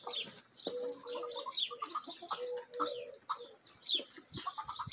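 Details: Backyard chickens, a Bielefelder and Golden Cuckoo Marans mix rooster and hens of Marans, Araucana and Egger breeds, feeding eagerly. Sustained tonal murmuring notes and soft clucks alternate with many shrill high chirps.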